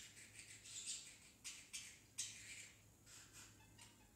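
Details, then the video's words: Pet parrotlet, still a baby, caught talking, mainly "tickle tickle"; rapid sequence of short, shrill, hissy syllables with three sharp accented bursts near the middle, softer chatter trailing off, faint room hum beneath. "Parrotlet talking"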